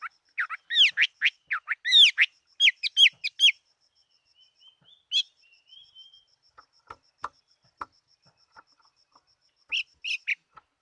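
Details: Chinese hwamei fighting bird singing a fast, varied run of loud slurred whistles at around two notes per second, then quiet clicks and soft notes before a short closing phrase, with a faint high ticking behind.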